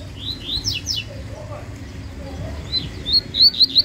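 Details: Yellow-bellied seedeater in a dispute, starting with quick slurred high notes, a pause, then a burst of loud, sharp, rapidly repeated chirps, with a faint low hum behind.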